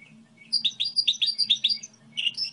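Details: Song model of a goldfinch hybrid: a brisk burst of sharp, bouncing chirps about eight notes long, a short pause, then more twitters over a faint low hum.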